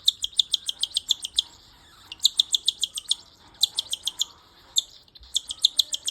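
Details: Hand-fed cockatiel (Nymphicus hollandicus) chick begging for food with rapid, harsh, rasping begging calls in quick repeated bursts.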